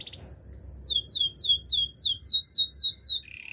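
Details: Canary singing: a steady high whistled note, then a fast series of about a dozen downslurred bright notes repeated several times a second, ending on a short buzzy trill.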